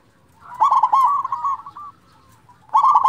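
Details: Loud local zebra dove, used to provoke silent doves into song: a rich rolling trill of quick coo notes fading into a stuttered tail, then a fresh loud burst near the end.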